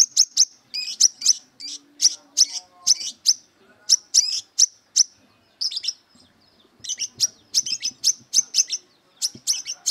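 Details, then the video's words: Brown-throated sunbird in aggressive mood, singing as if seeking rivals to fight: rapid series of sharp, high chirps and short buzzy notes, several per second in bursts with brief pauses; faint low background sounds. "Burung Kolibri Kelapa Wiceh Gacor Beset Tarung Mencari Musuh"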